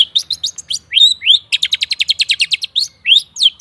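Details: Lure song of a long-tailed shrike for stuck, silent birds: quick bursts of downslurred chips, a few drawn-out slurred whistles, and a long steady run of rapid, evenly spaced notes.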